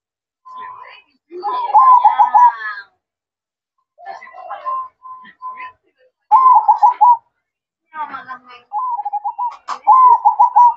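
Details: Zebra dove singing at night in the melodious manggung style: bursts of rapid, rolling trilled coos at a mid pitch, grouped into phrases about a second long and separated by pauses, with some softer fragmentary notes in between.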